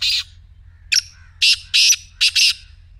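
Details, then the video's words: Harsh, creaky calling of a black francolin: a grating burst, a sharp note, then paired buzzy rasps in quick succession, ending in another double rasp, against a quiet background. "کالے تیتر کی مدھر بولی | اب خاموش تیتر بھی بولے گا/ Black Teetar Voice"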